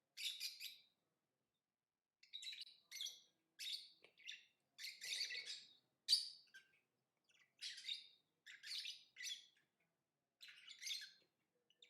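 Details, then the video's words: Lovebird chirping: bursts of harsh, buzzy, high-pitched chatter, each about half a second long, come roughly every second with short silent gaps. No other sounds are heard. "Lovebird Singing & Chirping Sounds"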